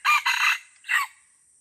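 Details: Wild red junglefowl from Aceh in the Lamteuba forest, recorded around a fight between birds. It gives a loud harsh crow: two quick strained syllables, a brief gap, then a shorter final note. A steady high insect hiss runs behind it.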